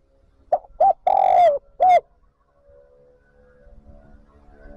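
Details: Lure call of a spotted dove summoning wild birds to the flock: a single phrase of two short coos, a long sustained coo and a final brief coo, followed by faint low background rumble.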